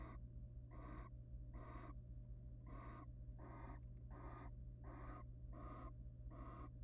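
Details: A courting wild barn owl pair in a research nest box, the male preening and then mating with the female: harsh, breathy screeching bursts repeat about twice a second, slightly uneven, with a constant low hum beneath.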